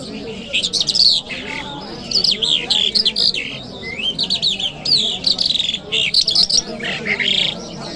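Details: Kabul city, Friday morning: a lark pours out loud, varied high song of swooping whistles, rising slurs and chattering bursts, broken only by brief gaps, with faint low background noise.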